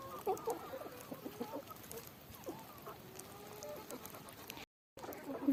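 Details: Several hens in a coop, waiting to be given freshly picked grass, cluck and chirp in short, mid-pitched bursts, busy and overlapping, with rustling in the background and a brief gap near the end.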